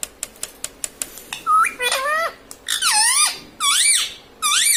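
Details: Talking pet parrot at home, saying words like mummy and papa; a row of sharp ticking clicks first, then four loud bending, nasal, speech-like phrases, each with a rising-falling glide.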